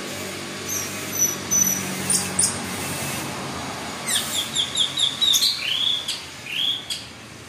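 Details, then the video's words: Orange-headed thrush singing teler style. Sparse high notes open the phrase, then a quick series of chirps about twice per second, ending in a few looping, arched whistles. "PANCINGAN ANIS MERAH GACOR TELER"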